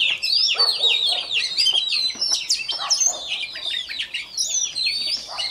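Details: Newly caught Oriental magpie-robin warming up its voice each morning: a rapid, continuous medley of high slurred whistles and scratchy chirps, roughly four notes a second, vigorous and sustained.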